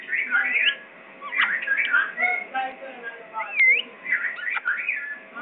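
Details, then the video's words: Pakistani parrot producing a stream of warbled whistles and chatter, with a bright rising-then-falling whistle near the middle and further twittering notes to the end. "parrot pakistani"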